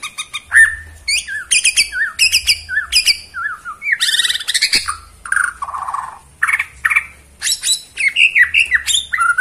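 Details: Borneo white-rumped shama performing in the bowing ('sujud') style: a varied run of clear whistles, swooping slurred notes and sharp clicky bursts, with short pauses between phrases and a faint low hum beneath.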